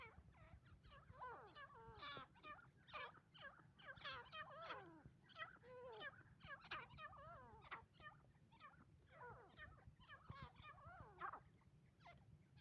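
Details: Female grey francolin (teeter) calling: a dense, continuous stream of rapid chattering and squeaky notes, some rising and some falling, run together in uneven bursts over a low steady hum.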